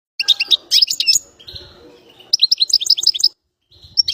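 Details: A bird whistling: bursts of quick high chirped notes in short clusters, a softer warbled passage between them, then another run of rapid high chirps.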